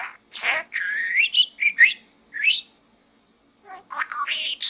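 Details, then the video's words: Pet budgerigar talking inside a small gourd, producing buzzy, warbled syllables with rising and falling whistled slides in quick succession, a short silence, then more scratchy chatter, indoors. "Bird Talk in the small gourd"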